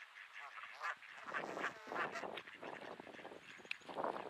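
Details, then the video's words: Grumpy geese calling in Sainte-Adèle, Quebec, Canada, on an overcast 15°C late afternoon in early May 2022: a busy run of harsh, nasal honks overlapping one another, rising and falling in quick bursts. "Grumpy Geese"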